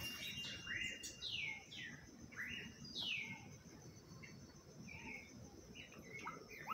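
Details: Audubon's oriole (Icterus graduacauda) giving clear whistled notes: several loud slurs sweeping downward and a few short rising or level whistles, spaced irregularly over several seconds, over a steady high insect drone.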